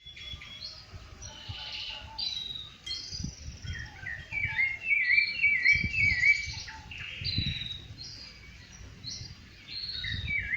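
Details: Rufous-bellied thrush singing in nature: varied clear whistled and warbled phrases, some with quick wavering trills, delivered in bursts with short pauses; soft low rumble of background noise throughout.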